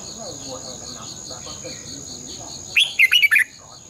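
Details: Red-whiskered bulbul decoy song for training caged birds, in the long twisted double-voice morning style: after soft background chirping, a sudden loud phrase of five fast bubbling whistled notes, with a steady high whine throughout.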